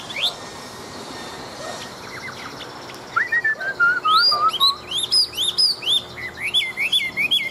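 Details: Large old wild-caught Chinese hwamei, kept for fighting: after quiet, bursts of descending whistled notes, then fast loud high rising slurs repeated about twice a second.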